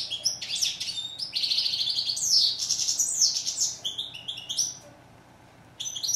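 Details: A European goldfinch, called steyla in Morocco, delivers a lively warbled song of rapid chirps and buzzy slurred notes, ending in a second of quiet before resuming.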